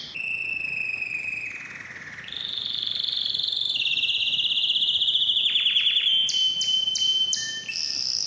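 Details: Canary song aimed at stimulating males and females for mating: long rapid rolling trills at steady pitch, dipping then jumping higher, followed by a run of descending chirps and sharp repeated clicks over a thin whistle.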